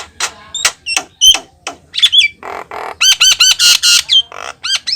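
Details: Persistent Javan myna song with sharp whistled upslurs, grating harsh bursts and a run of ringing, bell-like repeated notes, all loud and rapid.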